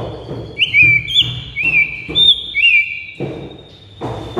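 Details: Clear high whistled notes from a white-rumped shama in a master recording meant to set birds singing, with short looping slurs over a steady tone and soft background noise.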